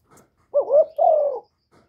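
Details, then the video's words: Spotted dove giving a calling and cooing phrase, recorded up close without background noise: a wavering, looping first note followed by a steady, slightly falling hoarse coo, about one second in all, in silence. "Chim Cu Gáy GỌI+THÚC+GÙ"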